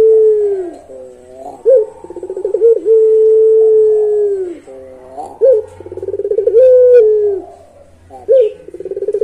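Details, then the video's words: Melodious long-voiced pelung Barbary dove repeating its song: pulsed trilling coos leading into extended smooth low notes, several phrases in a row. "Puter Pelung Suara Panjang"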